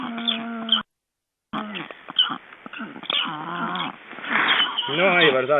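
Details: Estonian black stork heard during ringing on 29 June 2012: a steady nasal note with stacked harmonics, a brief gap, then rough, wavering moans and a rising, bending call at the end amid handling clicks.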